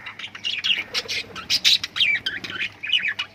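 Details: Lovebirds chirping: a dense, continuous run of shrill, squeaky chirps and short squawks, several overlapping, with no pauses.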